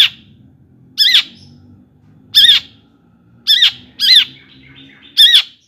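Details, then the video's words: Long-tailed shrike song used as a lure to excite other shrikes into singing: five loud, separate harsh squawks at about one-second gaps, each a bright note with a downward hooked lower trace, over a low indoor hum. "kicauan Cendet Gacor AMPUH ISIAN MEWAH JUARA COCOK buat pancingan CENDET agar NAIK EMOSI JADI GACOR"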